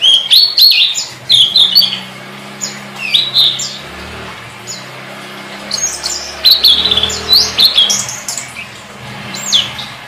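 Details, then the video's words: Tledekan song, a master track for teaching songbirds: bursts of sharp, high, upward-flicking whistled notes repeated in irregular phrases over a low, steady droning hum. "Suara Burung Tledekan"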